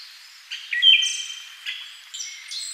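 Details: A single phrase from a Siberian thrush: a brief bright note that drops in pitch, then a long, thin, high whistle that fades out, with soft high chirps afterward.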